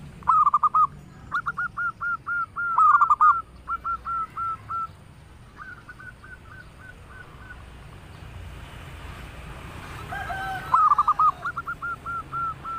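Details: Zebra doves, local birds singing melodiously: several rapid strings of hooked, bouncing coos, some loud and near, others fainter, a quiet gap, then a fresh loud burst near the end.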